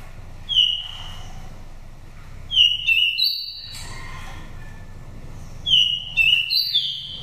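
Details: Oriental magpie-robin with a pure wild voice from Dak Lak, Vietnam, used to excite conditioned birds or trap wild ones: three phrases of bright whistled upslurs leading into high held tones, steady low hum behind.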